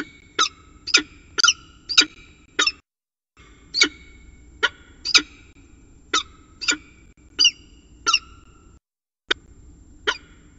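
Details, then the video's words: On the rim of a nest on a water tower at Axel, winter 2018, a mating northern goshawk repeats loud, harsh, ringing single calls in short bursts roughly every half second, with brief pauses between runs. "Paring Op Rand"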